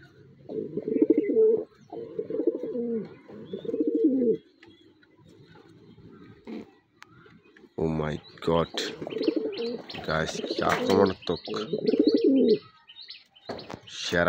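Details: Racing pigeons in a loft give low, throaty, rolling coos in quick bursts, followed by a man talking excitedly.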